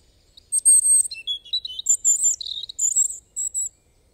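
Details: European robin singing a clear, piercing phrase. It opens with a sharp high note, continues with slurred whistles at varied pitches, and ends in a string of short, even, repeated tones.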